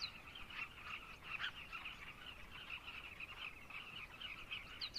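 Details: Throaty, rolling calls from a crowd of carmine bee-eaters in Zambia merge into a constant chattering wall of sound, with occasional sharper chirps.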